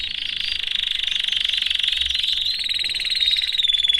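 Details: A male Belgian canary, kept in a cage with his family, sings a long, unbroken rolling trill of rapid, high-pitched notes that shift slightly in tone toward the end.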